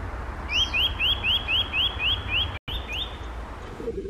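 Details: Eurasian Nuthatch calling on a snowy white morning, 6 April 2021, gives a quick series of about nine clear, rising whistled notes, four per second, over a low background rumble.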